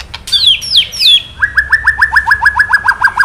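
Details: Male murai batu (white-rumped shama) provoked by recorded 'kretekan' sounds: three quick falling whistles, then a fast, even rattle of about fifteen identical short notes.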